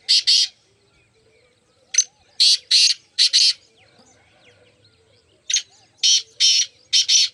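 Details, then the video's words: Partridge repeats loud, scratchy notes in groups of two to four, spaced by short pauses, against a backdrop of faint chirps from other birds. "muskie teetar ki awaaz ki video"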